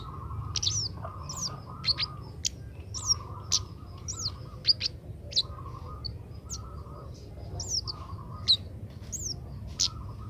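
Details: Young Oriental magpie-robin practising its song: a long series of sharp, high whistled chirps, many sliding up then down, repeated roughly every half second, with a faint mid-pitched drone and low background hum.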